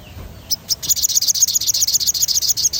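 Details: Sogon in rolling song played to encourage other birds to sing: a rapid, steady series of sharp high chirps, roughly eight per second, after a short quiet lead-in.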